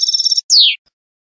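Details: European goldfinch (Carduelis carduelis), song.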